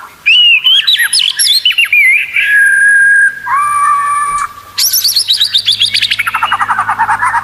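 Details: Competition-training song of a white-rumped shama: rich whistled phrases, long held pure tones, then a fast rattling series of clipped notes descending in pitch, over faint low hum.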